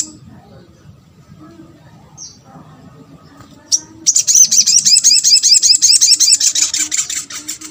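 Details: Sunbird (sogok ontong) used to draw other sunbirds to respond: after a few faint high chips, a loud, fast, high-pitched trill of rapidly repeated looping notes runs steadily for almost four seconds.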